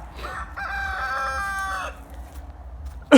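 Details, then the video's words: A rooster on a small farm gives one drawn-out crow, a short rise then a long held note, with a faint low rumble behind, on a dry, warm January 2021 day. "You can hear the rooster crowing over there."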